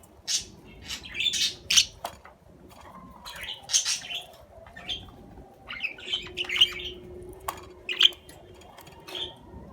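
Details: Budgerigar chattering: busy, scratchy warbles and high squeaks in rapid clusters throughout, with a faint low tone running in the background.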